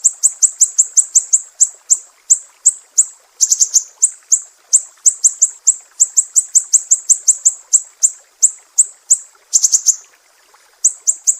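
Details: Mangrove whistler from Sumatra in the sharp 'besetan pedih' style, a master track for teaching cage songbirds: long runs of shrill, high clipped notes at a rapid steady pace, with brief doubled bursts and one short pause.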